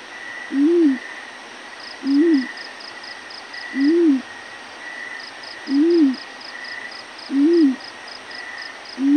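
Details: In the morning a yellow-breasted fruit dove repeats a low, rounded hoot roughly every one and a half to two seconds, six even notes in a row, while insects chirp in quick pulsed bursts and a faint high drone continues.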